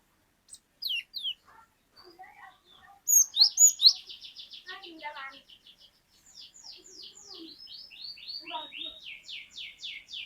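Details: Cinereous tit (glatik batu) singing at length in the 'wucit wucit panjang' style: sharp opening notes, then a long rapid trill and many repeated slurred whistles, with softer lower chirps from other birds beneath.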